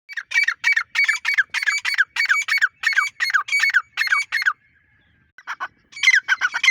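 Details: Grey francolin calling in the Dakhni teetar style: a rapid run of harsh, shrill, evenly spaced squawking notes, roughly four each second, breaking off into a short pause before a ragged burst resumes.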